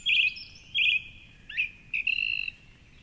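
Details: Song thrush in the 4.45am dawn chorus near the Curragheen River, Cork City; two loud buzzy phrases given twice, a slurred note, then a long rattling trill.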